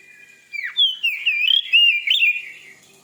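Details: White-rumped shama song meant to provoke a listener's shama into singing: loud, rich whistled phrases with sliding, warbling notes, rapidly varied and run together for over two seconds.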